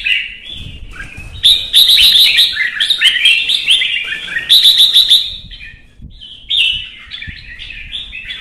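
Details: Kept red-whiskered bulbul in competitive singing: bright, bubbling whistled phrases rising and falling, with two bursts of fast, sharp trills around the middle, then softer short warbles.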